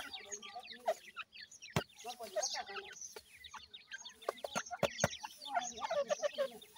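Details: Captive ring-necked pheasant chicks being fed, a busy overlapping chorus of high falling peeps from many chicks, punctuated by sharp pecking clicks and a faint voice.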